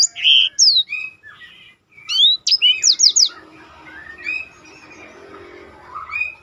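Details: Black-throated canary, roll song for contest-bird tutoring: a buzzy note and sharp whistled slurs, a quick group of descending whistles, then softer scattered twitters fading over low background hum.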